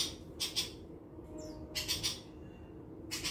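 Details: Long-tailed shrike uttering scattered harsh, grating squawks in short bursts of two or three, separated by quiet gaps, with a faint thin downslurred note between bursts.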